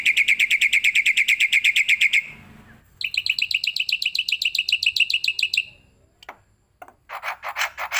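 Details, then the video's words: Starling or myna song used as master training audio for songbirds: long bursts of rapid, evenly repeated buzzy chattering notes, a brief pause, another chattering run, then harsher broadband bursts. "suara masteran burung jalak putih,jalak kebo,jalak nias,jalak suren"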